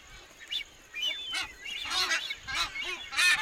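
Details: Nazca boobies (Sula granti) in the nesting colony on Malpelo Island during incubation give harsh, nasal honks that rise and fall, roughly twice a second, with several birds overlapping in a noisy colony chorus.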